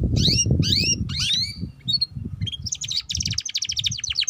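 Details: Chattering ngeriwik song from a young canary, meant to trigger young canaries to sing: three sweeping slurred whistles, short chirps, then a fast buzzy trill, over low-pitched background noise.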